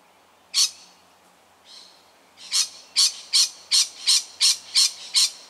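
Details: Nervous lorikeet reacting to a tiger snake, suburban Melbourne, Australia, October 2019: a single loud harsh screech, a soft one, then eight rasping shrieks in quick, even succession, roughly three per second.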